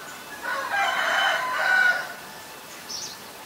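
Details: White-vented myna recorded in Ubon Ratchathani, Thailand, on 9 March 2022: a harsh, rasping burst of stacked notes lasting about a second and a half, rising in loudness, then fading, with a faint high note afterward.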